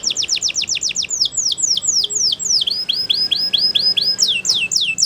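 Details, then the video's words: Waterslager canary training song of crisp descending whistled notes repeated several times a second, slowing into evenly spaced hooked, upturned notes, then speeding up again. "Waterslager Canary training Songs"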